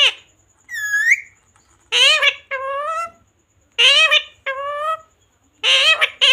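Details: Parrot mimicking human words such as "mummy", "papa" and "mithu" in Hindi; a rising whistle-like syllable, then a run of bright, nasal speech-like phrases delivered in quick succession with short gaps.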